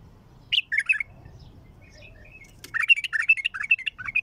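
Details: Bulbul with a raw, heavy throat sings a brief warbled phrase. After a lull with faint high chirps comes a longer run of loud, bubbling, rapidly repeated fluty notes, roughly two and a half per second.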